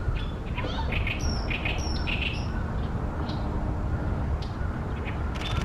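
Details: Oriental reed warbler singing loudly on 28 May 2020 in Ashiya, Japan, on a fine day, from a tall tree by a reed pond where it nests, giving harsh scratchy and whistled notes in bursts over steady low rumble.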